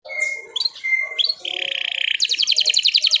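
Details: Canary singing lively chirps used to provoke other canaries into song: clear whistled notes near the start, swooping phrases, then a fast rapid trill of repeated notes to the end.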